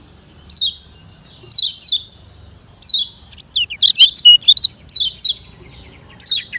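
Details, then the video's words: Kecial kuning, the lemon-bellied white-eye, singing its fast 'ngejoss' style meant as training for slow birds: high downslurred chirps about once a second, then a brief burst of rapid twittering and more spaced chirps. "Kecial Ngejoss Speed Kengceng Untuk Latihan Kecial Kuning Lambat"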